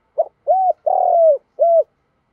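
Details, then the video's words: Spotted dove used as a decoy, calling to draw wild doves close. A single phrase of four mellow coos: a brief note, a rounded coo, a longer buzzier coo sliding down and a closing rounded coo. No other sounds. "Tiếng chim cu mồi gáy gọi bổi nhanh về"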